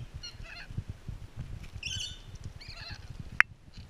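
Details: Rainbow lorikeets in a zoo enclosure at Twycross Zoo during enrichment, giving short harsh screechy bursts with stacked bands, several in quick succession, over a steady low rumble of background noise and one sharp click near the end.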